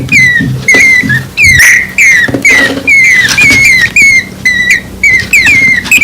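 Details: A pair of tiny nestlings left on the ground after workers trimmed the palm tree tops call out for their parent with insistent, high, downslurred peeps about twice per second. Occasional clicks and scraping sounds come through.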